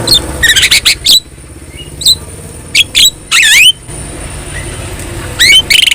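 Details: Javan myna (jalak kebo), a yellow-eyed, very vocal bird, singing as a tutor for training other birds: sharp squeaks and rising whistled notes with a harsh rasping burst, broken by quiet gaps over a low engine-like rumble.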